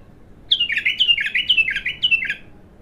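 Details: Untrained abtar bulbul during its first singing: five loud, clear descending whistled phrases in quick succession, about two per second, with little other sound.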